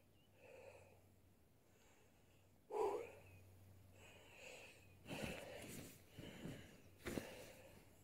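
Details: Displaying male western capercaillie, angry and attacking a person sleeping out on moss and heather: soft hissing wheezes, a sharp loud pop near three seconds, then a run of harsh broadband snorting bursts, over a faint steady low hum.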